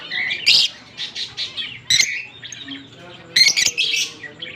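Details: Fischer's lovebird pair, green, recorded October 16, 2023, giving squeaky chirps and two shrill screechy bursts amid soft chattering.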